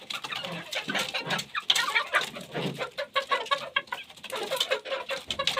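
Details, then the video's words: Several chickens feeding, with soft low clucks mixed with dense, rapid pecking clicks and scratching noises that continue throughout. "chickens eat sound effect"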